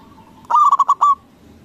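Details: Local zebra dove with a loud voice, used as a lure to provoke rival doves into answering: one quick phrase of about five clipped, mellow coos, the final note drawn out and slightly rising.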